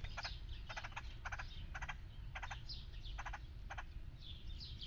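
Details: Red-headed woodpecker visiting a feeder, one of a pair seen there daily for three months, gives clusters of brief grating rattles, roughly seven bursts in five seconds, while small birds twitter high in the background over a constant low hum.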